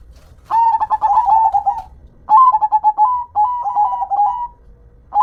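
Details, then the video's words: Zebra dove, a local perkutut, singing loud, nearly continuous cooing: long phrases of pulsed stuttering notes with smooth, level coos, phrases following each other closely. "Dengar Dan Rasakan Manggungnya, Suara Serta iramanya BIKIN CANDU"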